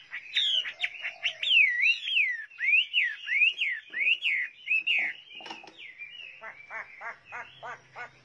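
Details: Hwamei in full song: a fluent string of bright, zigzagging whistled phrases rising and falling, ending in a series of short, sharply repeated down-slurred notes.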